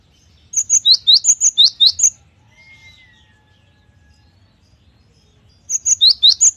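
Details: Prolific cinereous tit (gelatik batu) song, clear recording: a fast phrase of about nine bright, high, alternating two-tone notes, a pause with a faint drawn-out whistle, then the phrase starting again.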